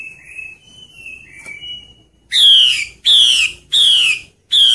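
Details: Breeding-season call of a wild female hwamei luring males in forest: soft whistled notes from another bird at first, then four loud, harsh, descending calls repeated about every 0.7 seconds.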